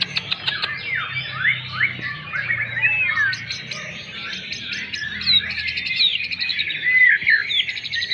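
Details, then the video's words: White-rumped shama song: a dense, continuous tumble of warbled whistles and rapid chattering notes, some sweeping up and down, with a soft low hum beneath. "Ocehan burung murai batu"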